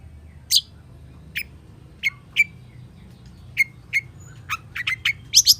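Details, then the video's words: Long-tailed shrike in chatty gacor full isian singing style: sparse, sharp chirped notes spaced about half a second apart, some with brief ringing tails, over a quiet low hum. "SUARA PENTET GACOR FULL ISIAN || CENDET GACOR"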